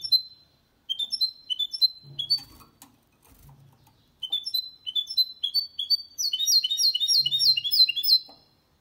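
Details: Goldfinch × canary hybrid singing cleanly without errors, used to stimulate males to sing and to teach young birds; series of clear rising whistled notes, then a fast rolling trill of repeated buzzy notes, with faint low hum underneath.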